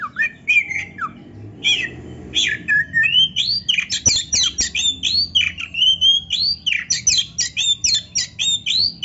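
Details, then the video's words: Oriental magpie-robin in strong song, played to stir lazy caged birds into singing: a dense, loud stream of varied whistles, sweeping slurs and harsh squawky notes delivered in rapid pulses with hardly a pause. "TERAPI KACER GACOR DONGKRAK BIRAHI DAN EMOSI BUAT KACER MALAS BUNYI"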